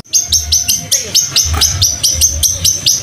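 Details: Training recording of a long-tailed shrike mimicking fighting sparrows: a steady string of sharp, high, downward-flicking chirps, about four per second, ringing and evenly spaced, with a quiet low hum behind.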